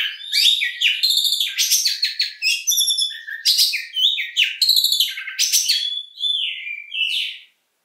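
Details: Continuous Oriental magpie-robin song of long, shooting phrases, dense buzzy and rattling notes alternating with clear whistles and quick trills, delivered almost without pause for over seven seconds.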